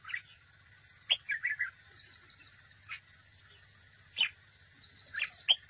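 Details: Caged red-whiskered bulbul used as a decoy at a trap, singing competitively: short warbled, slurred phrases at scattered moments, separated by sharp clicks and gaps, over a steady high-pitched hum.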